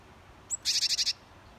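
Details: A Japanese tit at a feeding spot as snowmelt nears gives one thin, very high note, then six quick bright chattering notes within half a second, against an otherwise quiet background.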